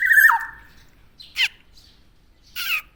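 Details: A tame Javan black-naped oriole gives one long falling whistle, then two brief harsh squawks separated by silence.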